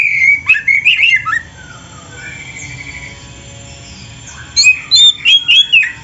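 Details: Oriental magpie-robin singing prolifically with full fill phrases, used as a master recording to train other songbirds: loud rising and falling whistled notes for over a second, a quiet pause, then a fresh burst of sharp chirps.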